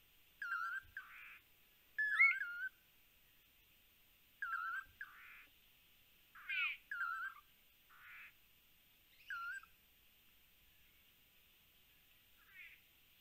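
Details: Lance-tailed manakins in Panama, caught on a live camera, give short, slurred whistled phrases, each followed by a buzzy, nasal note, repeated every two to three seconds over a steady hiss of insects.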